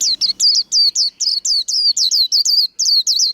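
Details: Nonstop white-eye contest singing in the líu style, bright high whistles that fall in pitch and are repeated very rapidly throughout.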